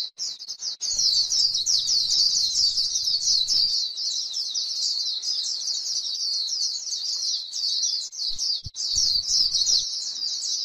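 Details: White-eye on grassland, singing the fast chattering song called líu: a dense, unbroken stream of very high, thin twittering notes for nearly eleven seconds. A faint low rumble sits underneath.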